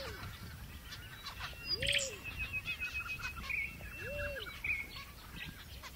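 Australian zebra finches give short nasal, toy-trumpet-like calls in quick, scattered bursts.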